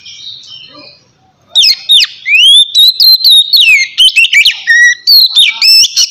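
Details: Lively 'ngeplong' song of an Oriental magpie-robin, used to get lazy birds singing. After a quiet start, a long, loud run of long rising whistles, sharp downslurs and rapid chattering notes follows.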